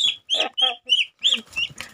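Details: Pet crested myna being tamed, giving a quick series of loud, harsh, rasping calls in short bursts roughly every quarter second, each burst bright and noisy with lower overtones, the last few calls softer and scratchier.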